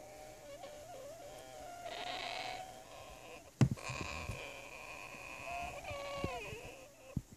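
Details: Two young captive Ducorps's cockatoos, a male about three months old and a female about two months old, recorded indoors at night; nasal wavering calls with a harsh raspy burst and a clatter midway, then a dipping whine.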